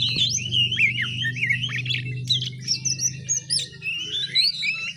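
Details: Juvenile oriental magpie-robin practising its song (ngiriwik). It gives a rambling, unbroken warble of twisting high whistles and short squeaky notes over a constant low droning hum.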